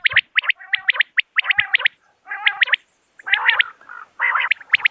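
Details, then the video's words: Common quail calling in crisp triplets of sharp, whistled notes, each group separated by short pauses. Nasal, burry lower notes come between some groups, and a faint high hiss is heard later. "بٹیر کی صاف آواز | Common Quail Calling Sound"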